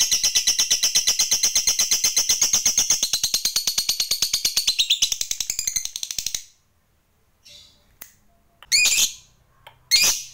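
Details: Lovebird used as a lure to stimulate other lovebirds to sing, delivering a long rapid chattering trill of buzzy high notes for about six seconds, then silence broken by a few short harsh squawks.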